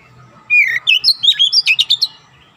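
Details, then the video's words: Oriental magpie-robin song from a recording used to train young birds toward fast, packed 'nembak' singing: one loud two-second run of about ten rising and falling whistles and sharp chirps. "TERAPI KACER BAHAN CEPAT NEMBAK RAPAT"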